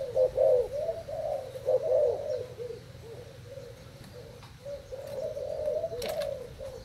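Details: A caged Thai spotted dove in competition cooing gives low, soft, rolling coos in quick repeated phrases, with a brief faint click or knock near the end.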